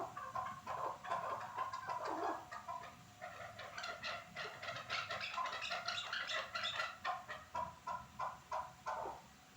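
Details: Chukar partridge from Norak: irregular rapid clucking, building into a dense chattering stretch, then spaced single chuck notes toward the end.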